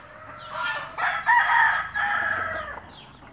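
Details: Native country chickens where a mother hen calls chicks to food; one loud, sustained, ringing crow-like call in several connected segments lasting about two seconds, with quieter noise before and after.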